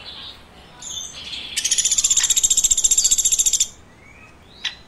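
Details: Woodpecker chirping. Quiet high notes lead into a steady, rapid series of about twenty buzzy chirps over two seconds, ending abruptly, with one short note near the end.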